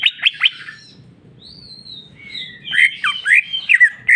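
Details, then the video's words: Greater green leafbird in jamtrok style: three quick sharp notes, a pause with one thin rising whistle, then a lively burst of varied slurred chirps. "cucak ijo mewah ful jamtrok bongkar isian"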